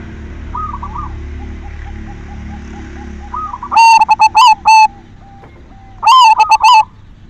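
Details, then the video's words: Silver zebra dove, an actively singing bird, used as a lure to stir other doves to sing: two loud, clipped bursts of rapid rolling coos with a fainter dove cooing softly in the background. "Perkutut silver gacor SUARA PANCINGAN cocok buat merangsang BIRAHI BUNYI"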